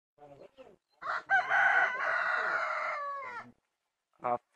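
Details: A rooster in Taflancık village, Ünye, Ordu, on 7 May 2024, gives one long, loud crow lasting about two seconds, harsh and strained, trailing off at the end, with brief clucks before it and after it.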